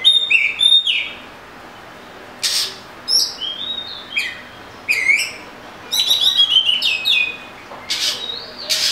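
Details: Oriental magpie-robin singing a varied run of clear whistled phrases, some sliding up and some dropping, in bursts separated by short pauses, with sharp high notes mixed in.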